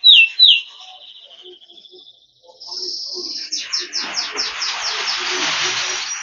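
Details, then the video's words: Yellow canary singing two sharp high slurred notes, a thin fading trill, and after a short pause a fast high rolling trill that runs into a loud hissing, rushing background noise. "Canary Bird Sound | Yellow Kanari Sound | Canary Bird Song"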